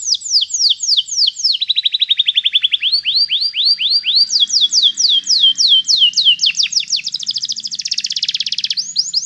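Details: Training song of a canary: long rolling tours of repeated falling whistled notes, one section lower and faster, then higher sweeps and a dense buzzy trill, changing pattern every couple of seconds.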